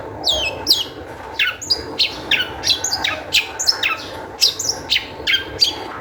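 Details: Long-tailed shrike in lively song used as a lure to get other shrikes singing: quick, chattering high notes and squeaky whistles follow each other in rapid bursts, several per second, against soft background noise.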